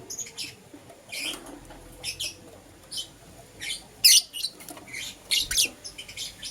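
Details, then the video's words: Lovebirds of green opaline and lutino colours calling in the morning, a series of thin, high chirps spaced about a second apart, with one louder sharp squeak near the middle. "Lovebird Chirping Sounds"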